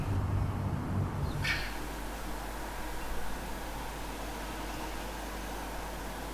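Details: Low background rumble with a single sharp knock or click near the start, then steady hum; no animal calls are heard.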